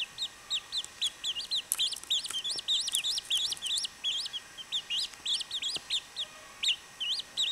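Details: Several baby chachalacas calling at once, bright rising peeps packed closely together, a busy overlapping chatter that thins slightly toward the end.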